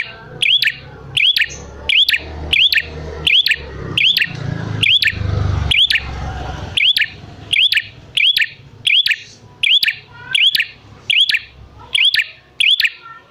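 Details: Bar-winged prinia call played as a lure to make wild prinias answer and call: sharp, high chirped notes repeated steadily about every 0.8 seconds, roughly seventeen in a row, each loud and clean over faint low background rumble.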